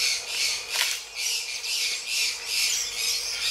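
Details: Harsh, grating squawks from Gray-breasted Parakeets during mating, arriving in broad rasping pulses about every half second, continuous and fairly even in loudness.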